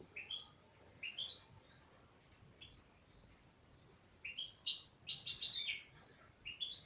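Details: A female European goldfinch sings a series of rising, slurred chirps in short groups. A denser, tinkling twitter follows after a pause, against a quiet background.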